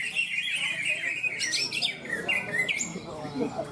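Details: Contest greater green leafbird, winner of a bird-singing competition in Malinau, North Kalimantan, Indonesia, pours out a high, dense warble with upward-flicking sharp notes near the end, with murmuring voices and distant birds behind.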